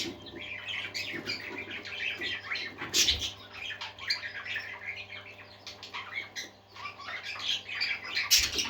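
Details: A group of pet parakeets, budgerigars, sings a busy, buzzy warble of rapid chirps and scratchy notes, rising into louder squawks around three seconds and at the end, with possible wing flutters and a steady hum.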